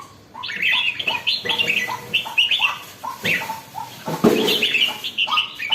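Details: Lively caged red-whiskered bulbul singing a steady run of chirpy phrases, each a low upslurred note leading into higher warbles, with faint background rumble and a knock near the end.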